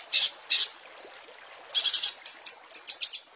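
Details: Rich fill-in phrases from a long-tailed shrike training master for caged songbirds: two harsh, high chirps, a pause, then a quick, scratchy cluster and several short, bright ticks.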